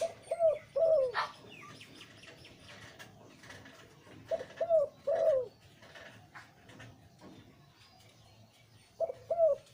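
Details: Deep-voiced breeding male zebra dove repeating a cooing phrase about every four seconds: a few quick low notes rising into a louder coo that bends downward, with faint background noise between phrases.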